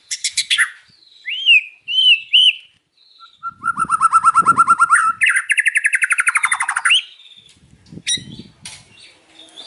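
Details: Afternoon singing by a white-rumped shama: sharp bursts and looping whistled notes, followed by long, fast, steady trills of rapidly repeated notes, ending in scattered clicks.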